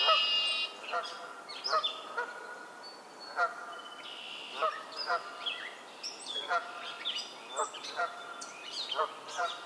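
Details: Canada geese in a spring swamp in Maynard, Massachusetts, in early May, give loud, nasal two-note honks about every second, over a chorus of toad trills, red-winged blackbirds, titmice, song sparrows and others.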